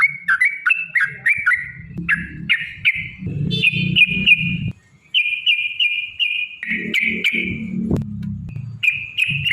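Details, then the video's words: Sooty-headed bulbul lure recording of long rapid fighting song: fast rising whistled notes, then longer level whistles, a short silence near five seconds, and more whistling over a low rumbling background. "trucukan gacor TARUNG ROPEL PANJANG"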